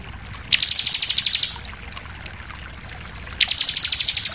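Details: Song of a Bar-winged prinia intended to provoke other birds to sing: two bursts of rapid, evenly spaced high ticking notes about three seconds apart.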